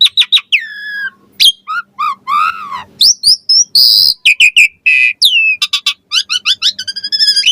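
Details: Varied Asian pied starling song meant to draw answers from other starlings: whistled slurs, warbled phrases, a harsh buzzy burst and rapid trilled chips strung together in a lively, ever-changing sequence.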